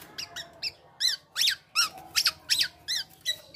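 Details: Male black-naped oriole, kept indoors, giving an odd imitative song: a rhythmic series of bright chevron-shaped squeaky notes, about three per second, some doubled, in a small room.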